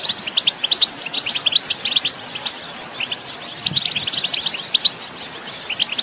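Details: Wild European goldfinches in the field, singing and calling as a stimulus for other goldfinches to sing: repeated, brisk clusters of high, clipped, tinkling notes with short gaps between them.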